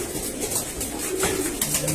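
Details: Domestic pigeons in a rooftop pigeon loft give soft, low, throaty coos in short rolling phrases over a steady hiss of background noise and faint music, shortly before winter.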